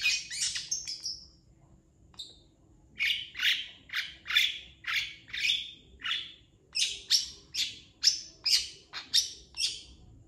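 A long-tailed shrike pours out a rapid string of harsh, scratchy chattering notes, roughly two per second, with brief high whistles mixed in.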